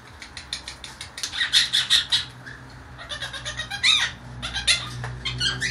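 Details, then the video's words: Blue Quaker parakeet kept as a pet, a baby female in her temporary cage, makes many funny noises: rapid rhythmic harsh chirps in a steady run, then a scratchy burst of squawks and chatter over faint room hum. "the Quaker making funny noises"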